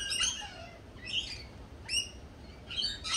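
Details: Lorikeets at a cafe give sharp, high chirps in four distinct bursts, about one every second, against a low background hum.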